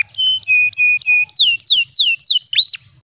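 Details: Canary song phrase of clear flat whistled notes repeated about twice a second, changing to loud descending slurred whistles, then a brief rising note.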